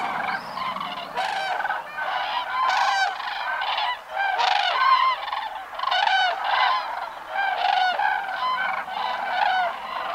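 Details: Common cranes (Grus grus) wintering in the Alentejo, Portugal, between November and February, a large flock with adults and a brown-headed juvenile calling loudly: overlapping trumpeting, rolling bugle notes, continuous and layered from many birds.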